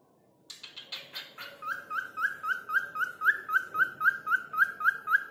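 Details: Cockatiel (falk) whistling to call someone's name: a few short chirps, then a steady string of brief rising whistles at about four per second that grow louder toward the end.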